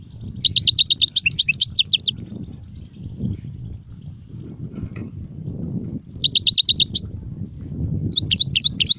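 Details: Goldfinch song in brief bursts of rapid high twittering, separated by long stretches of low rumbling background noise.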